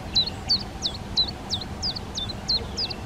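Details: Rapid repeated calls of a collared flycatcher nesting in a garden: high, clear notes that slide steeply down and end in a short flat tail, about three per second, over quiet background.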